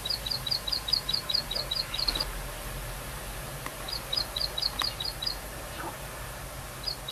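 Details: Plain prinia in the wild, singing eagerly in short bursts of rapid, high, ticking notes, broken by pauses of a second or more, with a quiet rural background.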